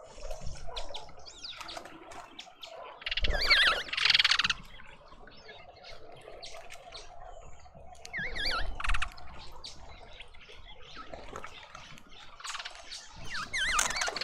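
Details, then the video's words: Several mousebirds gathered at a feeder in a suburban garden in Pretoria, South Africa; loud bursts of wavering, twisting whistled notes come in three bouts, over steady chirping from other birds, rustling and a low background rumble. "Mousebird party"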